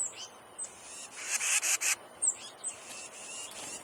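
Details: Brown Thrasher fledgling, not yet able to fly and out of its nest near a bird feeder, still fed by its parents; thin, high, downslurred notes repeat irregularly, with a burst of harsher, broad chattering notes in the middle.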